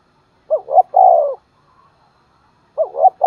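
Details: Spotted dove used as a decoy, cooing in the morning to attract wild birds. A low hooted pair of notes runs into a long steady coo, and the phrase starts again about two seconds later in an otherwise quiet setting.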